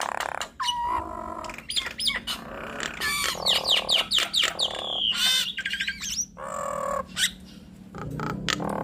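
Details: Nias hill myna duet: a rapid, varied run of loud whistles, rising and falling slurs and harsh squawks, with short bursts of chatter packed closely together and a low background hum.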